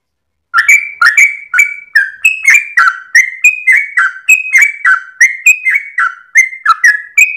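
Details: Sooty-headed bulbul in a long, vigorous dawn song, tail wagging. After a brief silence, liquid whistled notes begin, some rising and some dropping, repeated in a brisk, unbroken series.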